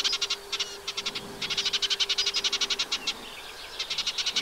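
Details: Song of a nesting Eurasian reed warbler, wet meadow by the Vilaine above the Arzal dam in Brittany, 15 June 2023: rhythmic churring series of harsh clicking notes, roughly four per second, in bursts with brief pauses.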